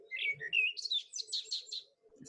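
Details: In the dawn chorus, a Common Blackbird sings a low, mellow, flute-like phrase, then a quick, high, scratchy twittering flourish at the end, over a faint low hum.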